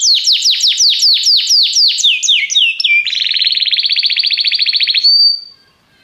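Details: Belgian canary song, a popular style that warms up other canaries: a series of quick descending slurred notes, then a fast even trill of about two seconds ending in a pure whistle.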